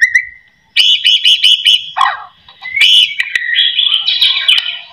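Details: White-rumped shama, a song used to make other shamas sing: a clear whistled note near the start, then a fast run of repeated chattering notes, a short low slurred phrase, and dense varied warbling to the end.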